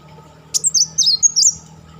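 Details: Kolibri Wulung sunbird in crecetan style, a master bird for training champion songbirds: a sharp opening tick, then a short rapid series of high, looping, slurred notes stepping downward and back up.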